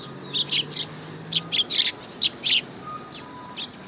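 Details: Sparrows arriving on a raised perching stand at a Tenmangu shrine, 3 September 2022: loud, busy run of bright chirps, some overlapping, slowing to a final isolated chirp, with a faint low hum underneath.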